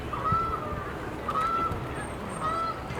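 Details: A Whooper swan at Attenborough Nature Reserve, where it stayed for several weeks in 2020. It gives three faint, thin, level honking notes about a second apart over a low background rumble.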